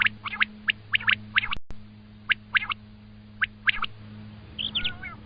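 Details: Common quail uttering quick triplets of sharp whistled notes, repeated roughly every second, with a harsher call near the end and a low steady hum in the background.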